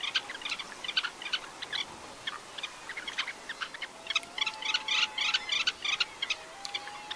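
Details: Red-necked phalaropes on Flatey Island, Iceland, give sharp, high chattering notes, several birds calling over one another in quick, uneven bursts; a faint, steady low whistle-like tone runs underneath later.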